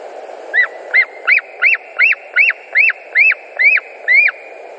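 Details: White-tailed eagles, nest in Latvia, August 2019 afternoon: a rapid series of ten short whistled yelps, each rising and then snapping downward, about two to three per second.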